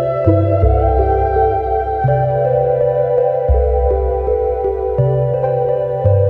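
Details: Slow ambient keyboard music with sustained organ-like chords shifting every second or two.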